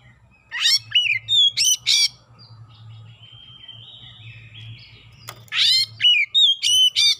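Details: Oriental magpie-robin singing a lure song that prompts other birds to sing: a cluster of five bright, buzzy whistled bursts, a quieter spell with soft high warbles and hum, then another rapid volley of loud notes.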